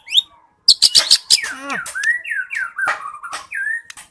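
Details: White-rumped shama in song, opening with a quick series of sharp high chips, followed by descending slurred whistles and several clear down-slurred whistled notes.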